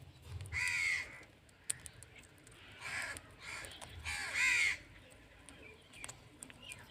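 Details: Indian ringneck parrot calling with three loud, raspy, arching screeches spaced about one to two seconds apart, over quiet low background rumble.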